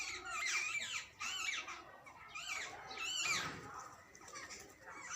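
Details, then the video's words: Jungle babbler chicks and adults make high, squeaky, rapidly rising and falling calls in short bursts with brief pauses between them. "jungli babbler voice/babbler babies sound,noise of babbler"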